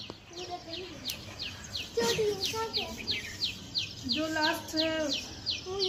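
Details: Forest birds on a rainy day give quick, bright chirps repeated at an even pace, while children talk and sing loudly in the foreground.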